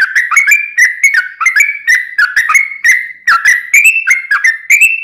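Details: Yellow-vented bulbul song made of rapid, liquid, dipping whistles in an unbroken even rhythm, pitch wavering slightly up and down.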